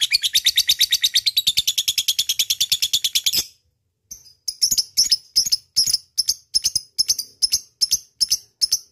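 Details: Lovebird ngekek used as a lure calling a rival: rapid harsh chattering for over three seconds, then a short silence, followed by sharp, separate chip notes repeated roughly twice a second.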